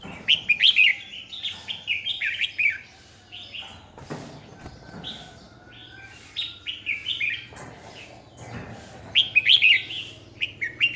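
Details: A decoy Red-whiskered bulbul sings in fighting style to stimulate rival birds during training, 2020. Rapid, lively warbled phrases repeat in several bursts across the clip, broken by occasional knocking thuds.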